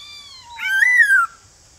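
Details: Male white-cheeked laughingthrush calling in the morning to wild-caught birds: one long, smooth whistle that rises, holds and slides down, lasting about a second.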